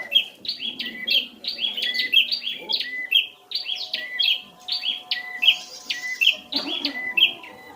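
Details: Prinia song used to provoke a ceplier into answering: rapid repeated chirpy phrases, each a rising note then a sharp drop, about two per second, with faint background voices and low hum.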